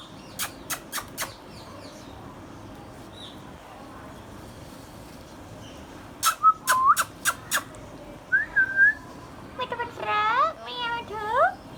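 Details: Hand-tame green Indian ringneck parrot kept as a pet: sharp clicks open, then a short wavering whistle, a burst of clicks, a rising whistled note and finally a run of quick, wavering, harmonic-rich chattering calls.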